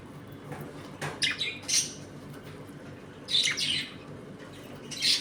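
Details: Home colony of budgerigars while eating and playing: scattered scratchy squawks and short warbles in uneven bursts, separated by quieter gaps with faint room hum.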